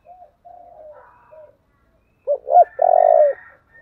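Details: Spotted dove with the 'thổ' voice giving thúc and calling coos: soft low coos, a short silence, then two sharp rising notes and a loud, sustained hollow coo ending in a faint tail.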